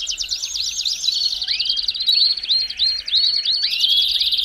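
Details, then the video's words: Belgian canary singing to warm up a canary, with a buzzing trill underneath a series of rising curved whistles repeated about every third of a second. "CANTO PARA ESQUENTAR CANÁRIO BELGA RÁPIDO!!!"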